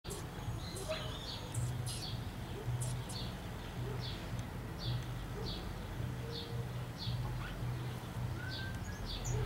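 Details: A young European goldfinch being fed by its mother gives high, thin begging chirps about once a second, over a steady low rumble of background noise.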